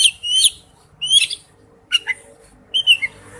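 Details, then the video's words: Male oriental magpie-robin calling to a female, a few short whistled slurs and sharp chirps spaced by gaps, quiet low hum underneath. "tiếng chích chòe than gọi mái/chích chòe than trống kêu"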